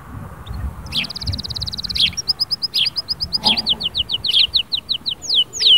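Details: Canary in full song, played to stimulate a silent canary: a rapid buzzy trill, then evenly spaced high chips turning into descending whistled sweeps, with faint low rumbling behind.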